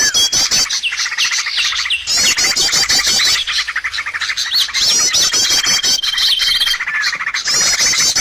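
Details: Birds on a lure recording for trapping: loud, jumbled chirps and harsh squawks in recurring surges, fast rattling trills layered over them and a thin sustained whistle near the end.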